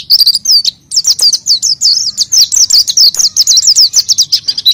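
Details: An energetic oriental white-eye song, played as a lure for untrained birds. A brief pause comes near the start, then a dense run of sharp, high, wavering chirps that rise and fall rapidly.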